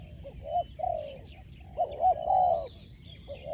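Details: Sport dove competition spotted dove coos in a phrase of short upswept notes and longer sliding coos, loud and clear over faint background noise.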